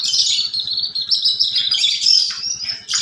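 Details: A kept Horsfield's bush lark pours out a nonstop, high, rapid twittering song with quick downward slurs, mixing in sparrow-like chirps and canary-like trills over a faint low rhythmic ticking.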